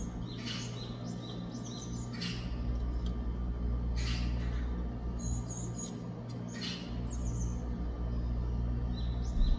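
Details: Japanese tit chick recorded on 2 August 2024, giving short, high, buzzy chirps in scattered bursts, some in quick pairs, over a steady low hum of background noise.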